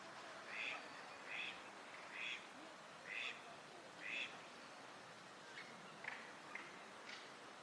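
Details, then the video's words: Eurasian wigeon wintering at a park pond in Chiba, Japan, March 2025: a series of soft whistled calls, about one per second, each a short rising-falling note, over steady background noise. "ヒドリガモの鳴き声 (Mareca penelope) 他 - カモの鳴き声 / Eurasian wigeon sounds"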